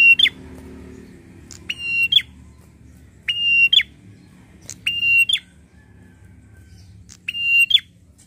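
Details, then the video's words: Angry, excited prinia calling: loud buzzy rasping notes with a clipped, scratchy ending, delivered singly or in close pairs at irregular intervals of one to two seconds, with a soft low hum behind. "BIKIN PRENJAK EMOSI DAN NGAMUK !!"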